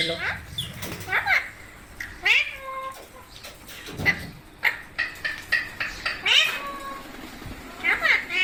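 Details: Group of Indian pet parrots, said to include babies, at rice-and-milk feeding time: short harsh squawks and bent, nasal calls repeat irregularly throughout, some sliding down in pitch, over low room noise.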